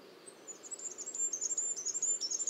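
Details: High, thin, rapidly repeated notes from a singing Goldcrest, the cyclic phrase rising slightly in loudness as it continues, with only a soft low rumble behind.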